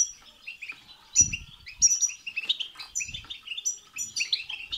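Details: Goldfinch song to stimulate singing in another goldfinch: quick, bright twittering phrases with tinkling high notes and buzzy trills, nearly continuous, a few low fluttering bursts.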